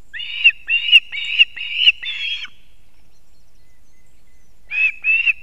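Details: Male osprey carrying two fish to chicks at a Kurzeme nest in Latvia, morning of 3 September 2024: a rapid string of five shrill whistled chirps, a silence of about two seconds, then two more chirps.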